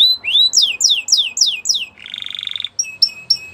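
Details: Belgian canary song meant for training young canaries: a rising slur then repeated falling whistles, a short buzzy rattle, and spaced sharp high notes; soft background noise throughout.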